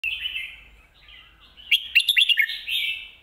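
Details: Red-whiskered bulbul singing in the lak wai and mae bot song styles: a long, even whistled note that thins out, then a quick run of bright, choppy warbled notes and a final sustained whistle.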